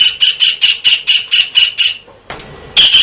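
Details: Kingfisher calling actively: around four sharp, high squawks per second, a short gap, then the calling starts again.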